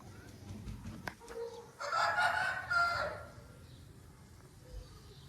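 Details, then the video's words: Long-tailed Aseel rooster crowing: a single harsh, drawn-out crow of about one and a half seconds, starting loud and falling off at the end, with a faint clatter and low rumble of background noise around it. "Long Tail Aseel Bird Crowing"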